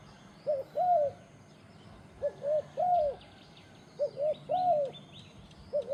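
A turtle dove gives low, soft coos in groups of three, two short then one longer, repeating about every two seconds over faint distant chirps from other birds.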